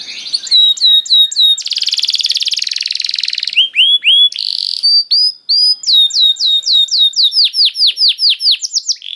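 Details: Caged canary singing, used as bait to prompt other canaries to sing: sharp upswept whistles, a long dense buzzing rattle, more clipped notes, then an accelerating run of downward-sweeping trilled notes.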